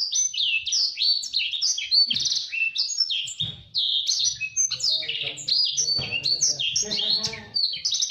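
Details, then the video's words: A gacor blacksang (blackthroat × canary hybrid, "blacksang" = blackthroat × sanger cross) sings fast, dense twittering with rapid high trills and chirps, barely pausing, suited as a canary tutor song; faint low voices murmur near the end. "Blacksang gacor speed rapat || masteran ampuh burung kenari"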